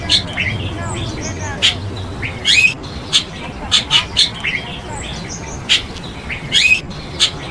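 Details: Chestnut-tailed starling, an exotic bird in Taiwan, giving sharp chirps and squawky notes in irregular bursts, some with rising harsh phrases, over low background rumble.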